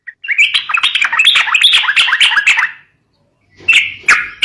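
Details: Sooty-headed bulbul song used to prompt young birds to sing: dense bubbly chattering phrases around mid-high pitch with harsh clicks for over two seconds, a pause, then two brief bursts.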